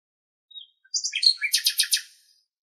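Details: Common nightingale singing in Greek nature: a soft high whistle, then a varied phrase of sharp notes leading into a rapid series of about six loud, broad, rattling pulses, all high-pitched, with a clean quiet background.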